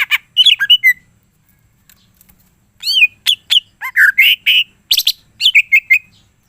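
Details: Greater green leafbird in energetic full-repertoire song: squeaky chirps and short whistles, a pause, then a busy sequence of rising and falling whistled notes and buzzy chirps.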